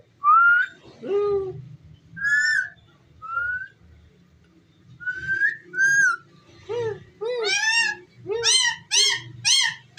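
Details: Pet ringneck parrot indoors giving clear whistled notes and slurred glides near one to two thousand cycles, then a fast run of bright, rising, harmonic-rich chirps repeated in quick succession toward the end.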